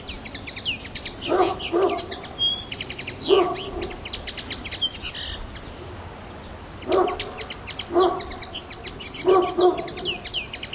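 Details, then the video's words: A common linnet on Pantelleria island, 9 January 2011, gives fast, high twittering almost without pause, with chattering trills and clear notes, broken by lower, harsher calls in short bursts nearby. "Fanello - Pardillo - Pintarroxo - Linnet - Linotte - Hänfling - Carduelis cannabina"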